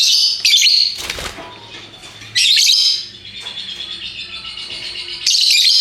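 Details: Lovebirds of varied colours, kept as pet parrots, giving the fast chattering 'ngekek' song; loud bursts of harsh, high, buzzy chatter at the start, middle and end, with quieter continuous twittering between and a brief scuffling noise.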